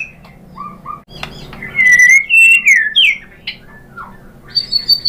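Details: White-rumped shama lure song meant to excite other shamas into full singing and revealing their mimicked repertoire: a few soft whistles, then loud slurred whistled phrases sliding down and up, ending in a high sustained whistle.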